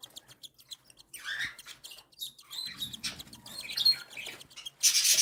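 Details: Feeding time for three young cockatiel chicks, one and seven days old, fed by their mother; soft rapid ticking builds into buzzy begging squeaks, ending in a loud harsh rasping burst.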